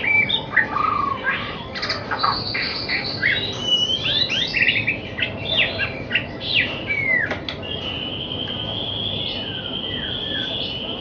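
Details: White-rumped shama song used for training young birds before competition: rich, varied phrases of quick chirps, rising and falling whistles and short trills, ending in a long steady high whistle.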